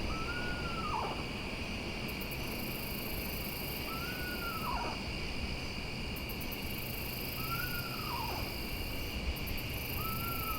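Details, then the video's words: Eastern Screech-Owl at night, a bird good at throwing its voice; four descending whinnies about every three and a half seconds, each a level tone dropping into a wavering trill, set against a loud steady katydid and cricket chorus. "They're so good at throwing their voice."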